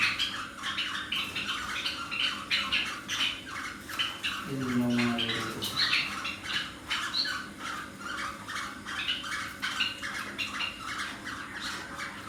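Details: Lutino cockatiels in a mating context chatter in harsh, scratchy squawks and chirps, with many birds calling over one another.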